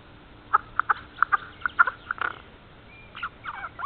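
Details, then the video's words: A jay gives its quiet morning "song" at an Estonian black stork nest on 30 March 2014 at 9:18: about eight short, clucking clicks at an uneven pace over two seconds, then softer, scratchier chatter. "Morning "song" of a jay"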